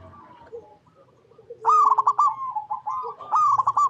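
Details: Zebra dove recorded in its natural habitat, giving rapid, bubbly trilled coos in two bursts, mellow and warbling around a steady pitch, with softer quiet cooing before.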